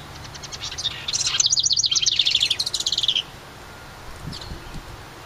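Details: Summer house wren near its nest in a ceramic birdhouse beside a cabin pours out a fast, high, jumbled trill for about two seconds, stuttering then accelerating, followed by quiet faint chips and light background noise.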